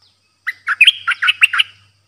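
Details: New decoy Streak-eared bulbul, kept caged, singing only 'dok' phrases, 6 May 2022. A short burst of about seven warbled chirps, sharp and evenly spaced, with a faint low hum beneath.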